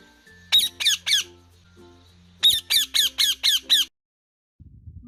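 Rose-ringed parakeet giving harsh, grating screeches in quick bursts, three then six, about four per second, over a faint low musical hum.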